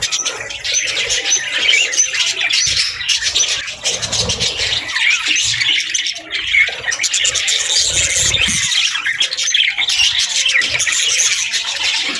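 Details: Budgerigars chattering through the afternoon: a steady wash of high twittering, scratchy warbles and brief whistles from many birds, with faint low thuds.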